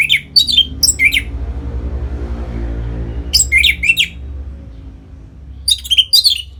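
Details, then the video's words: Orange-headed thrush singing in the ngeplong style, played to stimulate captive birds into breeding condition: three clusters of sharp, high, bright notes separated by pauses, with a low steady hum underneath. "Suara Ngeplong ANIS MERAH Gacor Memancing Burung Agar Birahi dan Lanjut ke Tahap Teler"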